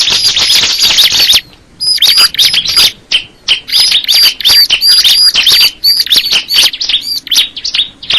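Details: Crystal ciblek, a bar-winged prinia, pouring out a fast, scratchy stream of high chirps and thin whistles, about three notes a second, with one brief pause early on.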